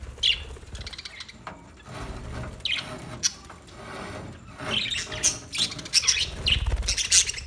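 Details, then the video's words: New pet budgies giving scattered high chirps and short squawks between rustling and fluttering sounds, with low thumps in the background. "New Budgie Birds Sounds"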